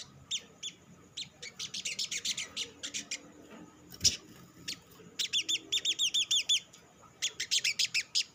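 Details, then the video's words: Lure song of a sogok ontong sunbird, an olive-backed sunbird, used to get other sunbirds singing quickly: rapid series of high, thin chirps in repeated runs, some doubled and buzzy, with one sharp click midway. "SUARA PANCINGAN BURUNG SOGOK ONTONG; Merangsang sogon ijoan cepat bunyi"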